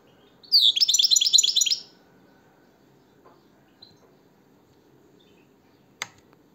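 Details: European goldfinch, likely kept by a breeder, giving one brief burst of rapid, tinkling, twittering notes lasting just over a second, then quiet room noise with a faint click near the end.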